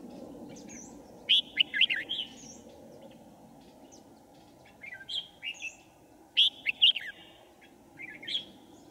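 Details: Decoy red-whiskered bulbul in a trapping setup on 5 January 2018 sings to attract wild birds: three loud clusters of quick, bright warbled notes with gaps of a few seconds, over a low background rumble.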